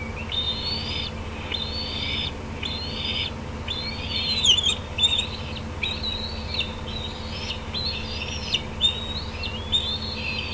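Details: At the Decorah bald eagle nest on 18 June 2016, 8:48 PM, juveniles gather near a parent on an outer branch; a steady series of about nine high whistled, slightly rising calls with a droning hum behind.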